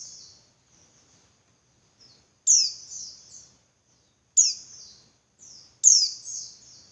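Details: Female Javan white-eye calling, used as a lure to make males sing harder and excite them: high, thin descending notes, each a sharp downward sweep trailing into softer twitters, repeated every one to two seconds in a quiet setting.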